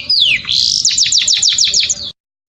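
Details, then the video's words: Canary singing in a mating frenzy, its song meant to stimulate other canaries to breed: a high descending whistle opens, then a quick run of about eight sharp down-slurred notes before the sound cuts off abruptly. "هيجان (تزاوج) الكناري تحفيز الكناري على التزاوج"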